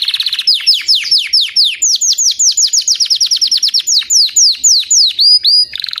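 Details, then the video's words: Singing white crested Belgian canary: a short buzzy trill opens, followed by long rhythmic strings of loud falling whistled notes, ending with clear upslurred whistles and another brief buzz. "Canário belga branco de topete cantando"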